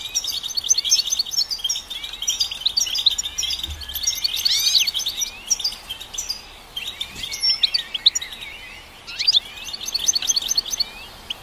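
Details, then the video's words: High, busy goldfinch song with rapid tinkling notes and rising and falling slurs over a constant background hiss, phrases following one another almost without pause. "Goldfinch Song"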